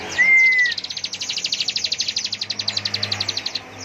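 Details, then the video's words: Bar-winged prinia delivering full-power ngebren song: a brief clear whistle opens a sustained, rapid, machine-gun trill of high clipped notes running about three seconds. "Dasyatnya Ciblek gacor NGEBREN suara penuh emosi tembakan full power"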